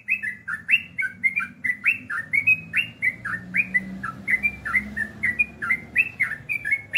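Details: A sooty-headed bulbul gives rapid ropel singing, a continuous flow of loud, sweet whistled notes, some rising and some falling, repeated without pause over a quiet low drone.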